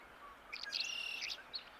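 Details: On a sunny, frosty May 20, 2024 morning, a Tree swallow pair claiming nest box 32 below Holter Dam on Montana's Missouri River calls often. Quick high liquid chirps and twitters last about a second, then a short note, over a faint power-line hum.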